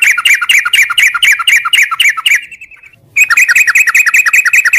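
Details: Long 'ngropel' song of a sooty-headed bulbul at morning, made of very rapid repeated whistled notes, about four per second. The run stops briefly near the middle and then resumes at the same pace.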